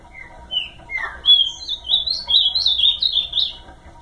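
Ultramarine grosbeak singing a rich, warbled phrase of sweet, slurred whistles that rise and fall in quick succession over about three seconds, over a faint steady hum.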